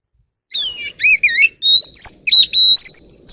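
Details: White-rumped shama with a wild voice, singing and calling the flock: warbling two-toned notes first, then a long rising whistle and a string of quick sharp chirps.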